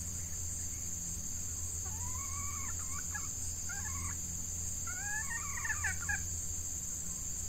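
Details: Red junglefowl, a female decoy set out to attract wild males as the hot season suits breeding; two separate hoarse crowing phrases, each a rising note followed by broken syllables, against a continuous high insect drone.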